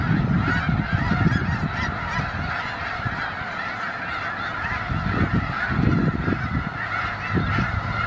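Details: Many snow geese gathered in winter in Skagit County, Washington; countless overlapping honking calls merge into a continuous roar, with low gusty rumbles coming and going.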